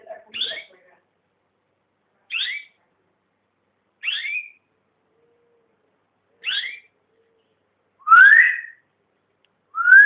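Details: A household's pet songbird sings clear whistled phrases, each a quick falling-and-rising slur, repeated roughly every two seconds in a quiet room; the last phrases are longer, rising whistles.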